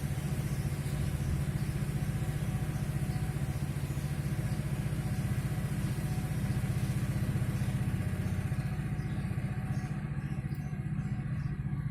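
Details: Steady droning engine noise like an idling motorcycle, low and continuous throughout, with no animal sounds.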